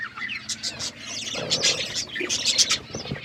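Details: A group of budgies eating and chirping, short bright chirps and buzzy warbles overlapping in quick succession, with rustling bursts between the calls.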